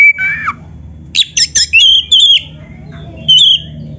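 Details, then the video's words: Kacer dada hitam, a black-throated magpie-robin, sings a canary-filled master phrase used as a lure: a long downslurred whistle, then crisp clipped notes and short bright whistles over a faint steady hum. "MASTERAN KACER GACOR FULL ISIAN MEWAH KENARI⁉️ || BURUNG KACER DADA HITAM COCOK buat PANCINGAN‼️"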